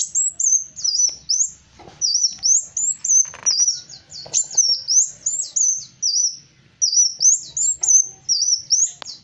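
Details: Kolibri wulung, the black sunbird, in full gacor song: rapid high-pitched twittering of sliding, looping notes in steady bursts with short pauses, with faint clicks and a low background rumble.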